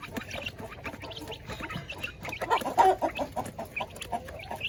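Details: Coop of village chickens at feeding, a busy flock giving quick, choppy clucks several per second, swelling to a louder cluster of calls midway before settling back.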